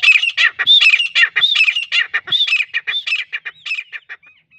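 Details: Native grey francolin from Pakistan, a calling bird for hunting: a loud, continuous series of harsh, ringing, grating syllables delivered rapidly and unevenly, fading into a few softer notes at the end.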